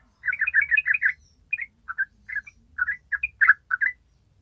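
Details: A yellow-vented bulbul in an original recording used as a lure for other bulbuls opens with a quick burst of about eight bubbly, chirping notes, then gives shorter two-note phrases every half second or so. The background is quiet.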